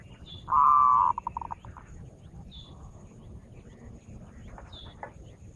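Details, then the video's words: Lure recording of a zebra dove: a strong, even, low coo of about half a second, followed by a quick series of fading staccato pulses, with a few distant high chirps from other birds. "Suara burung perkutut pikat"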